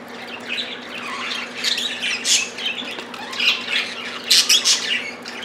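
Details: Squawking budgies fighting over food: rasping, buzzy shrieks and chatter come almost without pause, rising to a loud cluster of sharp squawks late in the burst.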